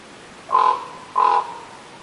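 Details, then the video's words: Raven calling twice, each a hoarse, nasal note of about a quarter second with a steady pitched tone, the two calls about two-thirds of a second apart against quiet background hiss. "Raven Bird Sounds"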